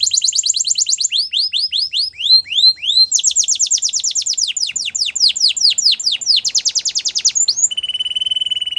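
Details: Canary song used for training: long run of rapid descending whistled trills repeated in quick series, shifting between faster and slower rolls, ending in a steady high buzzy note, with no other sounds.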